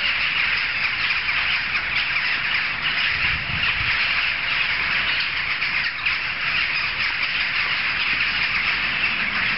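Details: Jackdaws in a large congregation, carrying several streets away, produce a thick, constant chorus of overlapping short calls, with a low rustle midway.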